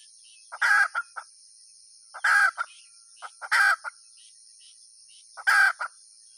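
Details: Hen repeating a coarse, squawking call four times at uneven gaps, each burst with a short lead-in and a tail note, over a persistent high-pitched drone.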